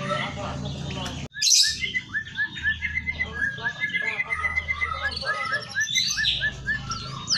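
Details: A white-headed munia (Lonchura maja) sings a dense, fast stream of bright chirps, trills and whistles mimicking canary and white-rumped shama, with a sharp click early and a faint low hum.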